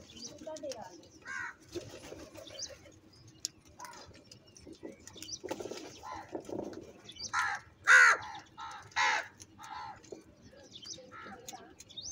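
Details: Crows squabbling over food: a string of short, hoarse, grating caws, bunched around the middle with several in quick succession. Fainter calls and background clatter fill the gaps.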